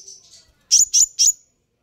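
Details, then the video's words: Sunbird call played to make other sunbirds respond: a faint thin note, then three sharp, high chirps in quick succession, each dropping into a short trailing whistle, with no other sound behind them. "suara ini bisa bikin Kolibri ninja naik pitam"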